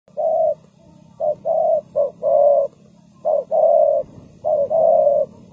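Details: Spotted dove used as a decoy for ground trapping, cooing in repeated phrases: short low coos followed by longer steady ones, roughly every second, over a faint low hum.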